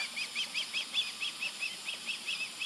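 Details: Fledged female osprey perched on a light pole across a field on July 18, 2020, calling as if wanting food. She gives a steady series of thin, whistled chirps, about four a second, heard from a distance over a soft background hiss.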